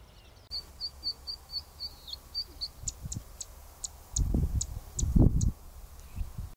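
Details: Zitting cisticola giving evenly spaced high zit notes, followed by thin higher ticks, while loud low rumbling handling noise rises in the second half.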